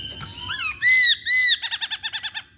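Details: Masked laughingthrush lure song to spur others to sing: a few slurred notes, two long loud strident whistles, then a fast, even series of about ten short clipped notes.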